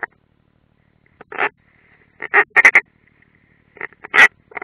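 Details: European roller at the nest, Latvia's Ādaži training area, 30 June 2016, nest camera: irregular rough, croaking notes, singly and in tight groups of three, loud and grating.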